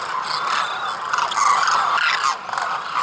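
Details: Migratory demoiselle cranes wintering in rural Khichan village, Rajasthan, India, give a dense chorus of overlapping rolling, trumpeting calls from the flock, steady and crowded with no single voice standing apart.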